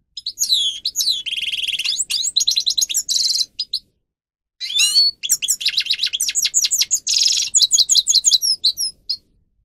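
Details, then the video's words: Long phrases from a captive grey-crowned goldfinch (Carduelis caniceps) song meant for training birds: fast twitters, downslurred whistles and harsh buzzing trills, a clear pause near the middle before the song resumes. "(Carduelis caniceps) Goldfinch song Best for training"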